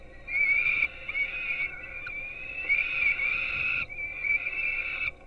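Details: Peregrine falcon young at a nest in Gdynia, Poland, filmed by live webcam at 4:21 am on 5-11-16 while being fed breakfast. They give long, sustained, high, wailing begging calls with harmonics in overlapping drawn-out bursts, amid a low background hum.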